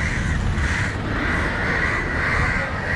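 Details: Crows in Sri Lanka's Matara call out against a dog nearing a grounded crow, one bird repeatedly diving at it. Grating caws blend into a loud steady chorus over rumbling low noise.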